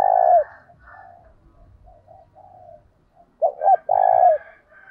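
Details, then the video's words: Spotted dove used as a decoy, calling to lure doves in a lively urging voice: a croon ending, faint low murmuring notes, then a fresh phrase of two short coos and a long resonant drawn-out note. "Chim cu gáy gọi hay kích bổi và tập mồi kèm giọng thúc rất sung"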